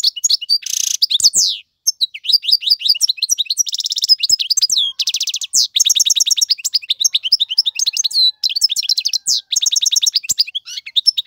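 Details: European goldfinch, a strong male singing as a tutor for young birds, pours out a long varied medley: a harsh buzz at the start, rapid liquid twitters, trilled rattles and repeated clipped chirps with brief pauses, entirely clean of other sounds.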